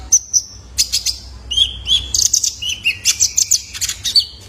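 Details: Juvenile male Van Hasselt's sunbird, a lure recording for cage birds: high thin chirps and short whistled notes, some sliding, arriving in quick uneven bursts with brief pauses, over a faint low hum.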